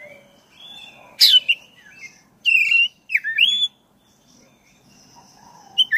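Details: Caged-bird provocation song of a black-breasted oriental magpie-robin: soft whistles, a sharp burst, then loud varied whistled notes with fast slurs, fading into quiet lower warbles.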